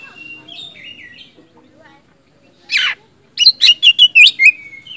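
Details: Oriental magpie-robin, used to bait reluctant magpie-robins into singing, opens with soft slurred whistles, gives one harsh raspy burst, then a rapid string of six loud warbled whistles ending in a steady, fading whistle.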